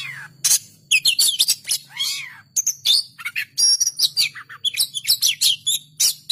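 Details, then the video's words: Oriental magpie-robin in full vigorous song: rapid high chatter and clear whistles, with one long arched whistle rising then falling in the middle. Notes come in dense runs over a faint low hum. "KACER GACOR"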